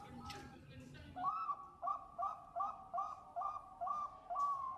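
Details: Bangkok zebra dove female calling a male: after a brief mixed noise at the start, a steady string of soft two-pitched cooing notes repeated about twice a second against faint background hiss.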